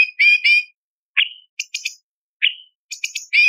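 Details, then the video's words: Light-vented bulbul song, a varied fill recording used for training other songbirds: buzzy harmonic notes, short upslurred whistles and sharp high clicks come in quick bursts with brief silences between. No other sounds. "Masteran Cucak Cungkok Istimewa ~Isian Variasi - Tajam Pedas For Murai CIjo Kacer Cendet Anis Pleci"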